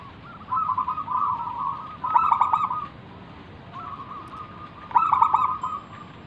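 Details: Local zebra dove performing manggung song to lure other doves: purring coos rising into a burst of clipped notes, repeated twice over soft steady background noise.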